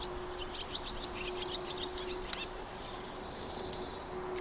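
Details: A male barn swallow (Hirundo rustica) singing: a soft, quick twitter of high chirps with a brief buzzy note near the end, over a steady low hum and scattered clicks.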